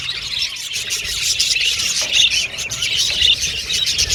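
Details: Brief stretch of pet Australian budgies in loud group chatter, high squeaky chirps and short whistled phrases packed closely together without gaps.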